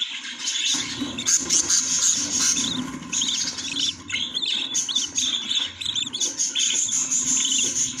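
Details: Budgerigars at a nest with growing chicks give a busy stream of warbled chirps and squeaky notes, nearly continuous, over a constant background hum.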